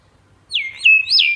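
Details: Talking Indian hill myna mimicking human speech: a clear, high, whistled utterance of about one second that glides down twice, then rises and falls in a final sweep, against a quiet background.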